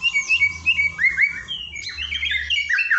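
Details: White-rumped shama training song: a busy stream of high whistled slides and chirps, rising and falling quickly, over a faint low hum.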